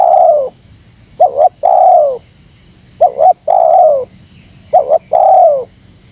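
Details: Spotted dove calling to provoke wild doves. It opens with a trailing coo, then gives three phrases of double short hoots and an extended, gently falling coo, close together under two seconds apart, with a faint high hum throughout.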